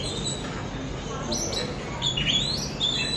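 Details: ['Oriental magpie-robin (kacer) lure song meant to make kept birds sing more: a few thin whistled phrases, then a clearer run of downslurred and sweeping notes over a low background hum.']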